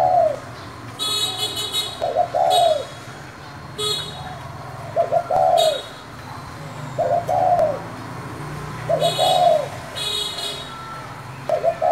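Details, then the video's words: Spotted dove calling in 'thổ' style to provoke wild doves. Hollow, arched coos repeat every couple of seconds, while bursts of high, buzzy chirping from another bird break in several times. "Cu gáy giọng thổ gọi, thúc kích bổi nhanh nổi"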